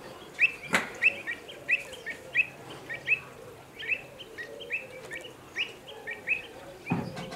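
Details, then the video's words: Pied avocets at Slimbridge, agitated and anxious for their youngsters after common cranes appear at the lake edge; rapid series of clear, loud rising 'kluit' calls, several birds overlapping, with one brief thump. "Agitated Avocets"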